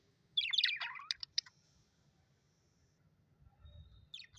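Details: Happy pet budgerigars chirping: a quick cluster of bright, warbling chirps in the first second and a half, then near silence with faint low rumble, and a new chirp starting right at the end.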